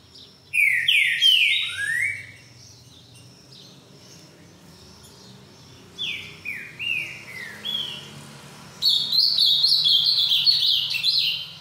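Green-winged Saltator in the boiadeiro song type: loud, clear whistled phrases of slurred falling notes, then a quicker, higher warbled run. The background is otherwise quiet.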